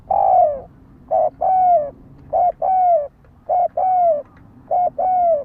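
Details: Spotted dove used as a fighting lure, cooing loudly and steadily: five phrases in quick succession, each a brief note and then a longer, smooth, falling coo, repeated about every second.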